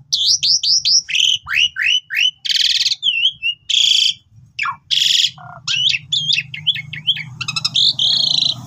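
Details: Asian pied starling in energetic, full song, used as a master to train new birds: rapid run of varied whistles, downslurred notes, harsh buzzy bursts and chattering phrases, nearly continuous over nine seconds, with low background hum.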